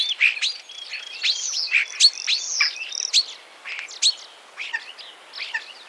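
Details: Common starling song from Wittlich, 2017: dense, rapid chattering with squeaky notes, clicks and short whistles tumbling over each other almost without pause, over a faint background hiss.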